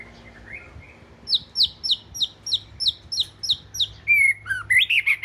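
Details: Oriental magpie-robin, a southern (Thai 'binla') bird described as the household's first, sings. After a soft opening, it gives a rapid run of about ten sharp, downslurred high notes, roughly three per second. It ends in varied whistled and buzzy phrases.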